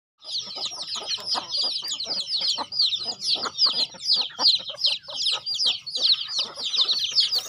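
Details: Chickens being fed on a rural home farm, giving a dense stream of high, thin peeping chirps from many birds at once, with scattered lower clucks beneath.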